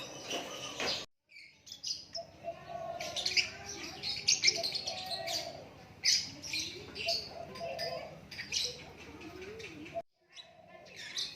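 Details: Natural song of a white-rumped shama: a rich, varied run of high whistles, trills and sliding notes that rise and fall, broken by a brief silence near the start and again near the end.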